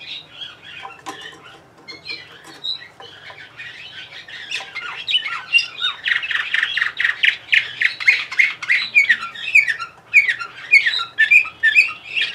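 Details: Bulgarian canary from Sofia, Bulgaria, in long song: hesitant chirps at first, then a loud, rapid run of repeated trills and bright, ringing high notes that keeps going steadily to the end.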